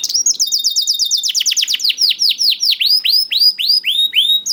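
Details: Young canary (kenari paud) song for luring reluctant canaries into song: fast high trill of quick notes, then slower repeated downward-curving whistles, roughly four per second.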